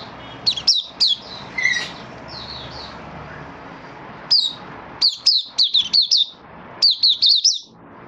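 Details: Caged Malaysian Oriental white-eye in minor moult, recorded 24 August 2023, opening its song while still building form: sharp, high chirped notes in short bursts, a pause, then quick runs of high, descending twittered notes over a faint background hum.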